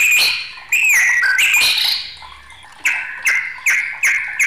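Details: Loud whistled phrases from an agitated white-rumped shama, including a bending slurred note, followed by a quick series of short, punchy, repeated notes.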